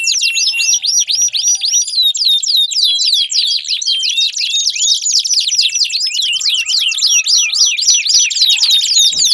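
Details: Extended canary song played to draw song from a silent canary: continuous fast high chirps and sweeps in rolling repeated phrases, with a brief faint tone midway.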